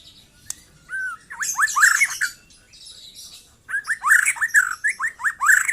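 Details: White-rumped shama, a young bird, in trotol song: a short opening whistle, then two energetic runs of rapid slurred notes rich in high overtones, separated by a quiet pause.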